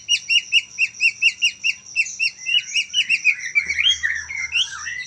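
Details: Young Medan white-rumped shama, just past the speckled juvenile stage, singing: a fast run of paired two-tone chirps repeated about four times a second, then a jumbled twittering, whistled phrase at the end.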